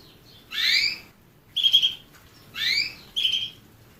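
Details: Singing canary alternating rising swept chirps with flatter, buzzy steady notes, four notes at roughly one per second in a clean, quiet setting.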